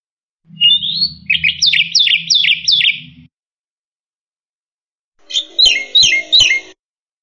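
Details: Black-winged myna singing vigorously, a master recording for teaching other cage birds: a rising whistle leads into four repeated sharp, down-slurred chattering notes, a pause, then a brisk buzzy triple phrase; low background hum throughout.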